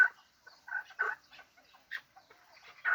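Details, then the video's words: Calls of a hybrid fighting chukar partridge: short, harsh, clucking notes in scattered bursts, several louder ones separated by brief quiet gaps, with faint softer notes between. "Кабки Гибрид"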